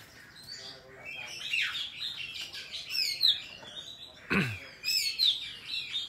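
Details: Oriental magpie-robin giving a wild forest song, recorded for training young birds: soft warbled phrases building to clear whistled slurs, with one loud sweeping swoosh partway through.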